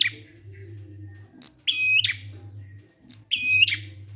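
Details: Ngalun-style prinia song meant to lure stalled prinias into singing: two strong, level, buzzy notes with a crisp click at the start and a harsh tail, spaced well apart, with a faint high note between and a low hum throughout.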